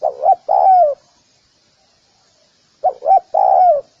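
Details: Two mellow spotted dove phrases separated by a two-second pause, each made of two clipped coos and a sustained, smoothly falling final note.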